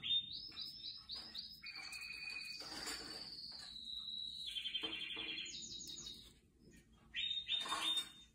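A canary sings a continuous high run of rapid trills, long sustained whistles and buzzy rolls, with brief pauses between phrases in a quiet room.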